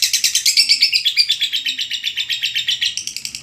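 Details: Lovebird in a long ngekek panjang chattering song, used as a training recording: a fast, steady run of shrill, buzzy notes, about seven per second, that slides slightly lower midway and then lifts again near the end.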